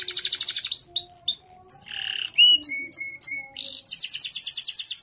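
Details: Canary song esteemed for contests and for teaching other birds: a rapid trill, high thin whistles, a rasping buzz, repeated short clipped notes, and a closing fast trill.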